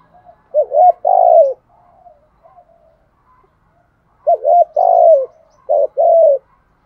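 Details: Spotted dove in the Thổ song style, kept as a decoy bird to call in wild doves: two loud cooing phrases, each with short hooked notes and a drawn-out falling coo, separated by quiet pauses.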